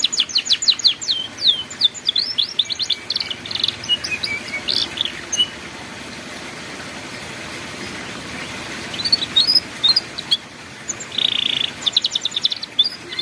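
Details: Canary song in the ngeriwik style, used as a master recording for young canaries learning to sing: fast high trills and rapid repeated notes, then a quiet pause of several seconds before more trilled phrases and a buzzy note near the end.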